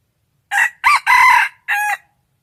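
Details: A rooster crows clearly and loudly. The crow has four parts: a short opening note, a quick arched note, a long harsh sustained note, and a separate trailing final syllable. The background is quiet.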